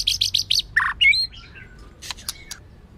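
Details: White-rumped shama, a female singing to stimulate males, in a training recording: four quick high buzzy notes, a burst of rough chatter and a clear rising whistle, then faint ticking notes.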